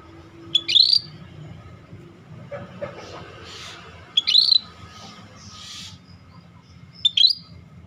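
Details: Scaly-breasted bulbul singing keenly. Three short, piercing, high whistled phrases come about three seconds apart, with faint murmuring and a low hum between them.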